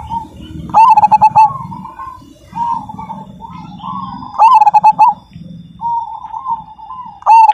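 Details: Zebra dove of the Majapahit perkutut type singing loudly: a rolling coo phrase with quick stuttered notes, given about every three seconds, with softer continuous cooing between phrases and low background rumble.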